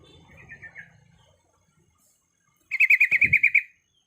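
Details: Breeding female yellow-vented bulbul calling for males: a soft, faint trill, then after a pause a loud, fast run of about ten bright pulsed notes, with a brief low thump.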